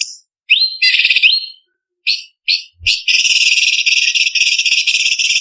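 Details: Leafbird contest-training song, cucak cungkok with spicy 'kasaran' fill: a looping whistled upslur and chattering notes, then a long continuous rapid buzzy rattle filling the second half.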